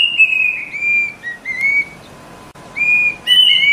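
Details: Plaintive cuckoo, known in Indonesia as kedasih or wiwik and linked in local myth to omens of death, giving clear high whistled notes: a long slightly falling tone, shorter level phrases, a pause, then rising whistles.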